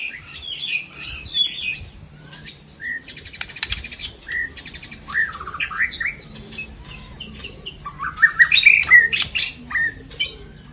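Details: White-rumped shama delivering a rough, forceful 'nembak' song: busy, varied chattering and whistled phrases, a rattling buzzy burst, then louder sharp rising notes toward the end, over a low background hum.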